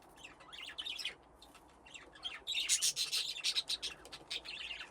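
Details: Budgerigars kept in an aviary with nesting boxes, playing: scattered soft warbles give way to rapid, loud, repeated high chirps from several birds in the second half.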